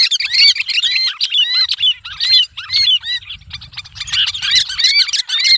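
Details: Sooty-headed bulbul screeching as it is gripped, a lure sound: continuous loud, grating squawks and rising-falling shrieks tumbling over each other, with muffled low rustling throughout.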